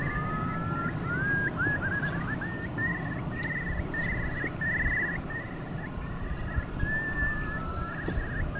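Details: Eurasian curlew calling: a long run of rising, bubbling whistled notes, each climbing and then held, following one another rapidly over steady low rumbling background noise.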